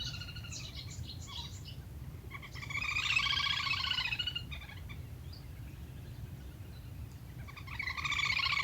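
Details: Calls of lesser whistling duck, played as a lure for hunting: fast chattering trains of thin whistled notes in short bursts, set over a steady low rumbling background noise.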